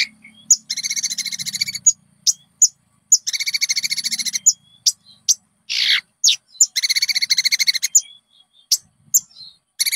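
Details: Song of a konin, played to lure and train caged birds into singing. It has rapid, rattling, high buzzy trills lasting about one to one and a half seconds, repeated three times, separated by short sharp chirps and thin whistled notes.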